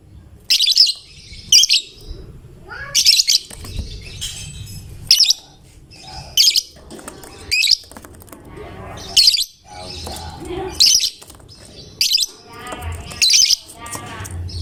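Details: Lovebird in fighter style, a chatty singer that sets other lovebirds singing; loud, harsh, buzzy high chirp bursts repeat about every second, with quieter chatter and low background noise between them.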